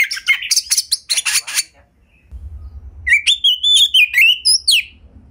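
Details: Domestic Oriental magpie-robin singing a gacor lure song meant to make other magpie-robins sing. Loud chattering, scratchy notes give way after a short pause to a run of bright, wavering whistles with a low hum beneath.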